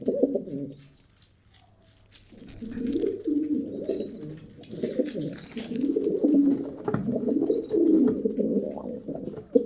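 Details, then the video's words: Pigeons give low, warbling, throaty coos after a brief quiet start, the phrases running into each other and swelling, with scattered clicks and shuffling noises behind. "Pigeon Sound Effect - the sounds that pigeons make"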